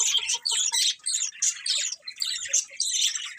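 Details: Colourful budgerigars chirping: a dense, continuous flock chatter of rapid, scratchy warbles and squeaks, with short clipped notes pulsing in quick succession throughout.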